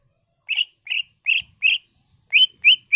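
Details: Greater green leafbird singing in the gacor style, full of imitated phrases in the ngentrok manner: a run of short, buzzy, chirping notes repeated about every 0.4 seconds, then sharper rising notes, with no other sounds.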